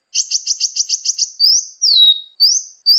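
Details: Clean sunbird (kolibri ninja) phrase for masteran bird training: a quick run of eight buzzy high pulses, then slow drawn-out whistles, one rising, one falling, one rising again.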